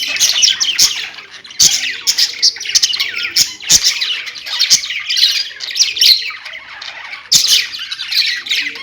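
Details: A group of pet parakeets sings a busy, twittering chorus of rapid high chirps and chattering warbles. Sharp ticking clicks recur roughly every second or two through the sound.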